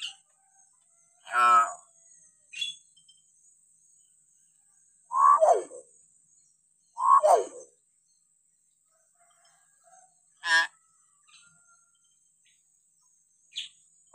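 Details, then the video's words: Hill myna calling for a tutoring recording aimed at untrained or reluctant mynas: loud, harsh, throaty notes spaced several seconds apart, each a short rasping burst, with a few fainter high squeaks between them. "variasi suara burung beo"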